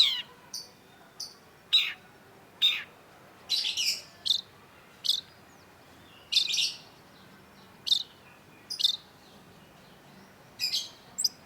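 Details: Long-tailed shrike lure song for stimulating quiet birds: a loose string of short, scratchy, high notes and harsh chips, some doubled, scattered irregularly across eleven seconds over a quiet background.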